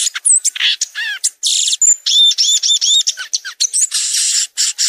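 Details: Violaceous euphonia in continuous, rapid song mixing descending slurred notes, a steady run of arched whistled notes, thin pure whistles, and harsh buzzy passages.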